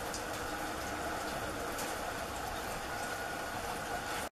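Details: Steady broadband rushing noise, like running water or an engine, fills the whole recording; there are no distinct animal calls.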